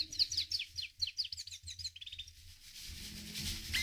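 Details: Himalayan goldfinch giving a rapid, high series of sliding twittered notes, bright and liquid, repeated several times a second for about two seconds before fading into soft background rustling.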